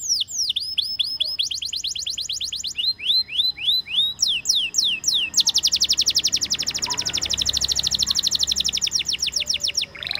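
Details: Canary singing a long varied song: quick trills, rising and falling whistled tours, then an extended rapid buzzy trill for several seconds.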